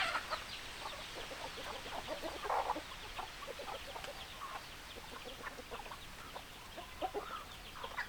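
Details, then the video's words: Short clucks from many hens and roosters overlap into a lively chatter, with a louder cluster of calls near the middle. "Chicken Sounds Noises Hens Clucking Roosters Crowing"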